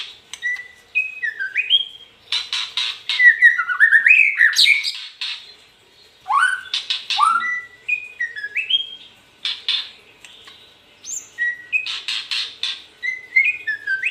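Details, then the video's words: White-rumped shama singing a varied run of clear whistled notes, rising and falling slides and dense chattering bursts, with short pauses between phrases; no other sounds. "Murai batu seri F"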